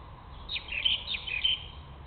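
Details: Common kestrel nestlings at a nest in Israel, during wing exercises in 2022, give a quick burst of about five thin, high, squeaky chirps within a second, over a faint steady background hiss.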